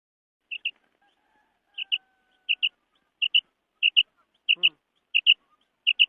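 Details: Female common quail calling: eight crisp, high double notes, each a quick pair of short chips, repeated at fairly even intervals over a quiet background, with one faint low buzzy sound in between.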